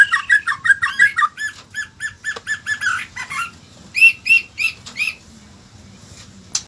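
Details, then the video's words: White-rumped shama song: about fifteen quick, even, repeated chirping notes, a warbled flourish, then three separate ringing whistled notes and a brief sharp click at the end; little else heard. "BURUNG MURAI BATU"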